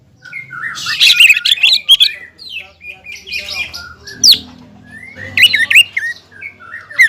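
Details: Greater green leafbird kept in a cage, singing to provoke an opponent bird: varied warbling phrases mixing soft slurred whistles with sudden loud sharp upslurs and chatter, with faint low hum.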